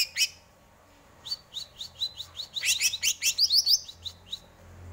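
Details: Greater green leafbird song of varied quick chirps and sharp rising whistles, densely packed in the middle, with a low hum beneath.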